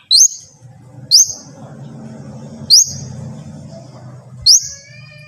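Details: Long-tailed shrike tutor recording used to prompt other shrikes to sing: four short, sharp rising notes spaced about one to one and a half seconds apart, over a steady low hum.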